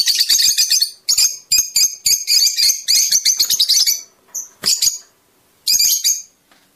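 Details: Fischer's lovebird singing to encourage mating: loud rapid bursts of harsh high chatter, each under a second, followed by isolated chirps and a final burst.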